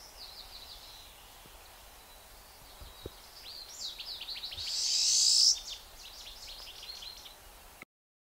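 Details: Pine siskin, Nevada, gives a rapid series of high, thin twittering notes with a brief rising buzzy wheeze in the middle, over faint background noise.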